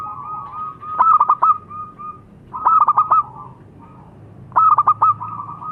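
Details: Local-strain zebra dove (perkutut lokal) singing: three short phrases about two seconds apart, each a soft mellow coo broken by quick stuttering notes, over a low steady hum.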